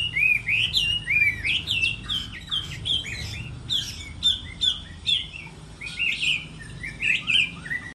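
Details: Moult-season contest singing by a Chinese hwamei: crisp, rapid whistled phrases with sharp chips, in rhythmic bursts about every half second over a faint hum.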